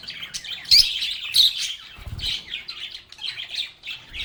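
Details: Group of lovebirds chattering while they play and sing, with busy high chirping, a few sharp squawk-like peaks near the start, and a faint low thump in the middle.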